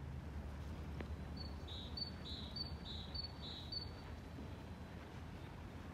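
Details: Great tit in song on Stora torget, Stenstan, Sundsvall, 11 February 2024: one strophe of five crisp alternating high-low whistled phrases, with background rumble and a single click.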